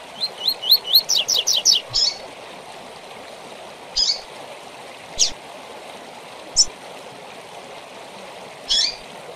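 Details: Double-collared seedeater song in the Tui Tui Zel Zel style, used to train birds in moult: about ten quick rising chirps in the first two seconds, then single sharp notes at uneven gaps over a steady water-like hiss.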